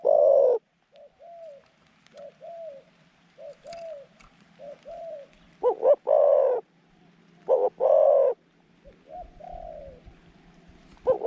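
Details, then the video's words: Dove kept as a trap decoy to draw in wild doves coos repeatedly in a middle voice: loud rounded coos alternate with softer, short, arched notes over about eleven seconds, with a faint steady hum behind. "เสียงกลาง คูเก่งคูนานๆคับ"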